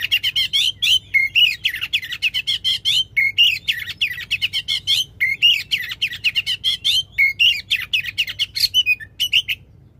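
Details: Oriental magpie-robin giving a loud, long song meant to provoke a magpie-robin that has gone quiet into singing; continuous rapid, sharp chattering notes in dense repeated bursts with brief whistled slurs throughout.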